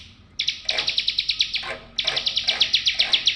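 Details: Bar-winged prinia giving two quick, bright trills of evenly spaced sharp notes, about a dozen per second-long phrase. A faint low hum sits underneath. Meant as therapy for birds that stopped singing.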